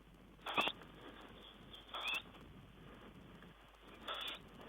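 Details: Tawny owl, 5 June 2010: three faint, wheezy hissing calls, each under half a second and spaced about one and a half to two seconds apart, over a steady background hiss.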